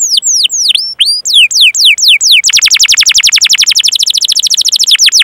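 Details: Canary song meant to coax other canaries into singing: spaced falling whistled sweeps for two seconds, then a long rapid rolling trill of evenly repeated high notes.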